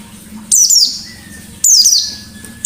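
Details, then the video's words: Lively white-eye giving forest-style sharp shooting notes as a lure: two loud, very high, harsh descending bursts about a second apart, with a faint steady tone between them over a low background hum. "Burung Pleci Gacor Ngalas Nembak || Pancingan Pleci Ngalas"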